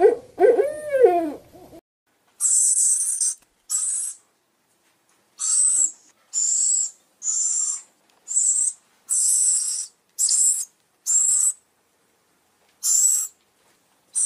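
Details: Owl call used as a bird lure: a brief burst of quick wavering hoots, then a series of harsh, hissing screeches, each about half a second long, separated by silent gaps of one to two seconds.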